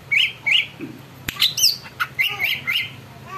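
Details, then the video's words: Caged greater green leafbird singing a busy, full song meant to provoke other birds into singing: short bright chirps and squawky notes, sharp rising whistles and a quick trill, repeated in rapid bursts with a faint low hum behind. "cucak ijo gacor bikin burung lain ikut BUNYI dan EMOSI"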